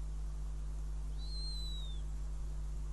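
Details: Riga nest of a northern goshawk, 5 June 2016, with mouse prey. A single thin, high whistle lasts nearly a second and slides slowly downward, set against a constant low electrical hum.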